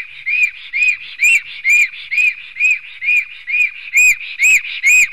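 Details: Black stork nest in Sigulda municipality, Latvia, 11 June 2020 at 10:43 am, male against male fight; clear, regularly paced arched whistled notes, roughly two per second, some with sharp ringing overtones.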